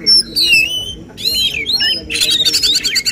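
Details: Oriental magpie-robin in a songbird contest giving the "tembakan" song prized by judges: clear slurred whistles, then a burst of rapid, repeated sharp notes.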